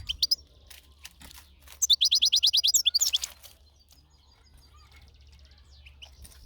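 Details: Outdoors in nature, a European goldfinch gives a few scattered high chirps, then a bright rapid twittering run of about a dozen notes, then softer faint notes over a low hum.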